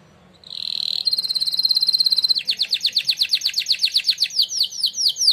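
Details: Canary, winner of a singing contest, in training song: sustained high buzzy whistle, then a long series of rapid descending swooping notes repeated about three per second.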